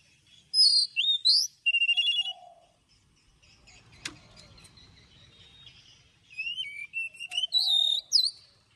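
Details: Oriental magpie-robin giving its wild-style morning song with long drawn notes, used to train birds: two bursts of loud whistled and buzzy phrases with upswept notes and a low soft note, separated by a quiet gap with a click.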